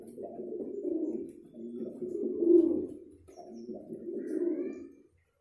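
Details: Pigeon in courtship uttering three swelling bursts of low, gurgling cooing, each rising in loudness and then fading, in a quiet small room.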